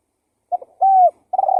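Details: Fragment of a spotted dove lure call: a soft double note, then a sustained level coo, with a purring coo starting at the end.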